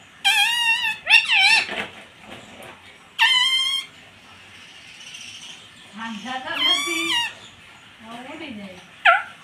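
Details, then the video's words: Rose-ringed parakeet kept as a pet, mimicking "mummy" and "papa" in short, bright, voice-like bursts, with quieter, deeper human speech in between. "मम्मी - पापा बोलने वाला मिट्टू"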